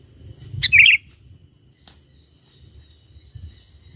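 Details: Sooty-headed bulbul in full song, meant to draw wild bulbuls: one brisk phrase of bright, tumbling notes sliding downward, then near silence with a soft low rumble and a faint click.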